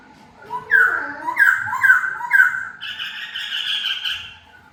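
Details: Freed indoors for the first time, a decoy laughingthrush gives low gliding whistles, then four emphatic down-slurred notes, ending in a sustained, buzzy, nasal tone.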